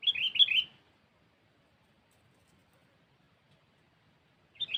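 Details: Sooty-headed bulbul sound used as a trapping lure: a quick burst of bright high chirps, a long silence, then another short chirping burst, over faint low background rumble.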